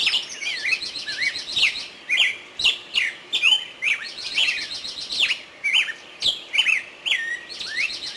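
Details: Bulbul calling: repeated bursts of swooping whistled notes, some dipping then rising, about one phrase per second, with occasional sharp clicks between them.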